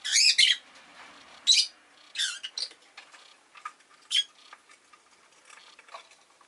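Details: Rosy-faced lovebird with city noise in the background: loud, harsh, shrill chirps come in short bursts at irregular intervals, some doubled, followed by softer scattered chips.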